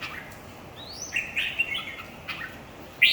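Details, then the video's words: Singing competition of red-whiskered bulbuls: a rising whistle followed by chattering warbled phrases, a pause, then a loud abrupt chirp at the end. "chào mào thi đấu 3"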